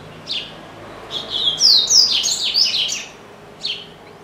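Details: Double-collared seedeater kept as a pet, said to sing all day long: an isolated chip, then a rapid, loud, high-pitched twittering phrase with sweeping slurs, ending with another short chip.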